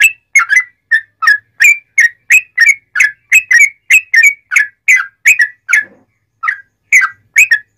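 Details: Sooty-headed bulbul singing loudly, a master recording to train and provoke other bulbuls: an unbroken run of rich whistled notes, often in pairs, with a brief gap near the end.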